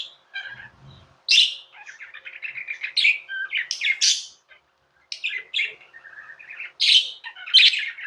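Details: Budgies kept as pets chirp loudly: piercing high tweets alternate with buzzy, scratchy chatter in quick bursts, with one clear pause midway.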